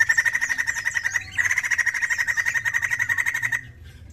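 White-crested laughingthrush in a fast, harsh chattering run of about four grating notes a second, briefly broken, then stopping short.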